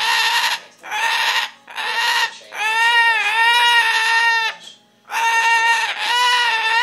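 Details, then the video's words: Pet cockatoo indoors squawking as people come into the house, a run of loud screeches, shorter bursts followed by longer drawn-out cries with brief gaps between. "cockatoo video, louie squawking!"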